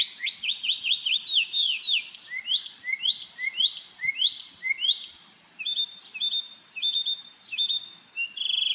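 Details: Marco Island, Florida, morning: a dancing bird delivers a quick string of falling notes, then rising slurs, ending in flat, level whistles.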